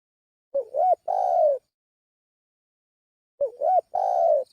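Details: Spotted dove lure call: two phrases about three seconds apart, each a short wavering, rising hoot then a long, steady, slightly falling coo, against a silent background.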